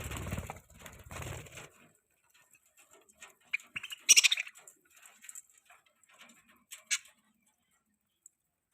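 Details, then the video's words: Budgies kept as pets give scattered short, sharp high chirps and twitters separated by quiet gaps, with a brief low rumble at the start. "Budgies chirping sounds|Cute Budgies birds sounds|Budgie sound"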